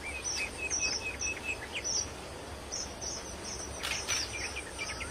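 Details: Wild red avadavats give thin, high chirps in quick irregular bursts, several birds overlapping, over a steady insect hiss and soft background noise.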